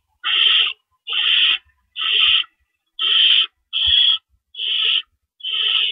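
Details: Owls at their nest at night, early morning of April 4, 2012, with rabbits brought in as prey; seven harsh breathy screeches follow one another at an even pace, nearly one per second, over a quiet background.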